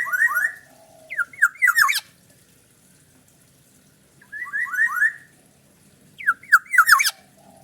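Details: Fierce-sounding black-naped oriole delivering repeated groups of fast falling slurred notes, each burst closed by sharp high clicks, with quiet gaps of about two seconds.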